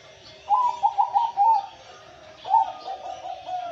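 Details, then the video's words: Male zebra dove, perkutut, singing gacor: a mellow cooing phrase of several quick bubbling notes rolling into a long steady coo, then a second shorter phrase repeating the pattern, in a quiet setting. "Burung perkutut gacor."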